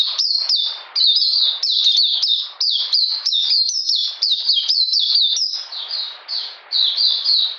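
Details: Kept Oriental magpie-robin singing in cold, rainy weather on 13 June 2020: a rapid, unbroken stream of high, sharp chirps and short slurred notes, packed tightly together, with only brief pauses near the end.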